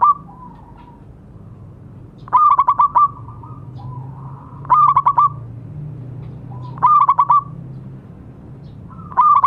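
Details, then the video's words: Zebra dove of local stock singing steadily, a recording meant to coax non-singing doves back into song. Four short bursts of rapid, rolling coo notes come roughly every two seconds, with faint low drawn tones between them. "Perkutut lokal gacor suara bagus untuk terapi yang macet bunyi."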